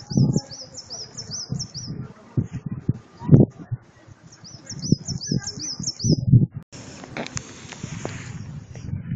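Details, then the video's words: Bird singing in spring in the hydropark of Zhytomyr, Ukraine: a high, rapid series of sharp chirped notes, heard twice, under loud low rustling and footstep-like noise. "Пение птиц"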